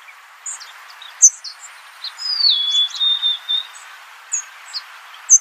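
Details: Golden-crowned sparrow giving a clear falling whistle that levels into a sustained lower note. Steady hiss and scattered short chirps from other birds surround it.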